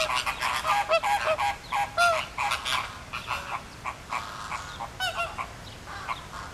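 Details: Zoo flamingos in Philadelphia gathering and circling with flapping wings; rapid uneven run of nasal goose-like honks, about one and a half per second, several sliding downward, fading toward the end.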